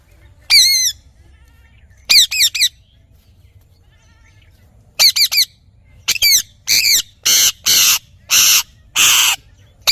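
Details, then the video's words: Parrot natural calls: harsh, repeated squawks, some in quick doubled or tripled bursts, later longer rasping screeches, over a faint low hum. "Parrot Natural Sounds / Voices"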